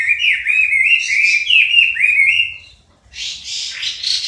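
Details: Chinese hwamei (Garrulax canorus) song: loud, fluty slurred whistles for over two seconds, a short pause, then a burst of harsher, buzzy chattering notes.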